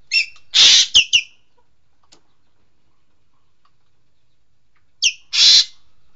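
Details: Green magpie, known locally as engkek keling: two short bursts of harsh, broadband screeching notes with sharp clicks, separated by about four seconds of silence.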